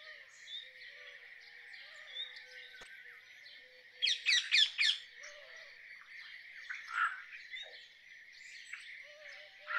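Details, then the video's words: Rose-ringed parakeet: a rapid burst of four or five harsh, shrill screeches in quick succession, amid continuous chattering and chirping of other birds and low whistles. "Rose ringed parakeet Song ! Rose ringed parakeet Call ! Rose ringed parakeet Sounds"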